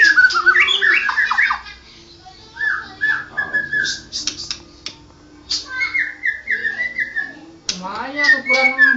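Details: Champion white-rumped shama in rolling gacor song: warbled phrases, a pause, short repeated whistles and chatter, then a stuttering run of level notes and a rising low whistle.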